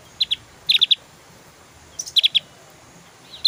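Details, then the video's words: Javan grey-throated white-eye giving lively 'tembakan' song: brisk groups of two to four sharp, high chips, repeated roughly every second and a half. "SUARA TEMBAKAN SADIS BURUNG OPIOR JAWA GACOR"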